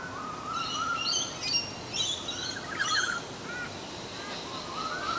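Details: One of a pair of olive-backed orioles, a species noted as a mimic and ventriloquist, gives rolling, liquid whistled notes, mixed with higher, thin chirps from other birds over a steady background hiss.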